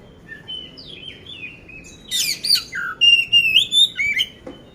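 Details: Oriental magpie-robin of the poci type, caged in Magelang, Central Java, Indonesia, ready for contests: soft whistled phrases, then loud rapid rising and falling whistles and harsh chirps packed closely together, with a coarse song fill.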